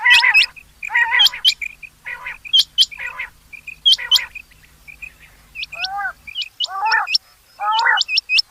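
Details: Rain quail giving quick, high, hooked whistles, mostly paired and repeated in bursts. Buzzy lower calls alternate with them, and a faint low hum runs under the first six seconds.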